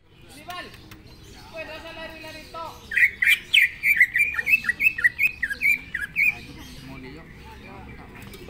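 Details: Greater green leafbird (cucak ijo) in fierce, spirited song: after brief scattered chirps, a rapid run of bright, sharply slurred whistled notes repeats about three times a second for three seconds, over faint background hiss.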